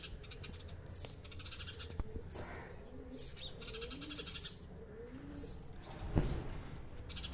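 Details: A group of house sparrows conversing with clustered high chirps in irregular bursts, low gliding coo-like tones underneath, a loud thump near the end, and a rumbling low background.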